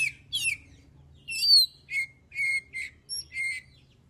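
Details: Oriental magpie-robin song used for baiting other birds into song: a string of high whistles and short chirps, one long sweeping note midway, with a soft low hum underneath.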